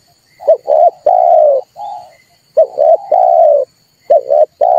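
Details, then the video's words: Red collared dove call used as a lure for trapping and to prompt birds to sing: low, hoarse cooing phrases of two or three short notes followed by a longer drawn-out coo, repeating roughly every one and a half seconds, no other sounds. "tiếng chim cu ngoi dùng cho kich chim hót dùng để bây"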